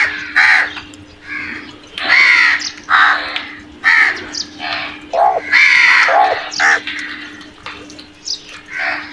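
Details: Crows calling harshly while attacking food, a series of loud, hoarse caws overlapping in quick irregular bursts, several birds heard, with a steady low hum underneath.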